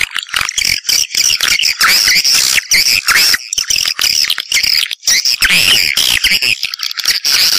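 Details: Swiftlet calls: a dense, continuous stream of high, squeaky chirps and twitters, sharp notes overlapping with hardly a pause throughout.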